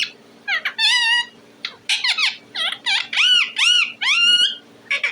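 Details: Talking parrot kept as a pet giving a varied run of sounds: wavering whistles, nasal squawks and bent, slurred notes in quick bursts, with a faint indoor hum.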